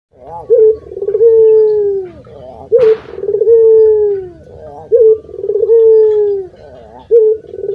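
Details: Local puter dove giving a loud, thick-voiced song suited for luring birds: a short trilled lead-in followed by a long, smooth, slightly falling coo, repeated about every two seconds.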